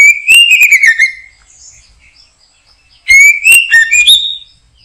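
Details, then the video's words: White-rumped shama in a backyard where birds are being trapped, giving two rich whistled phrases that climb, waver and fall, with brief chips and faint high notes between them. "Mikat Burung Murai batu,,Sudah gacor dorrr"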